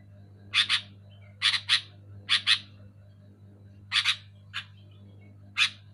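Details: Sooty-headed bulbul, loud and clear, used to stir silent caged bulbuls into song: harsh, buzzy chirps, mostly in close pairs, spaced about a second apart, with a low steady hum underneath.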